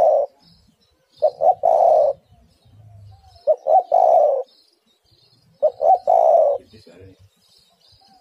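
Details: Female spotted dove (tekukur) calling to attract the male. Three evenly spaced phrases, each stuttering short coos ending in a long low coo. Faint high chirping of other birds throughout.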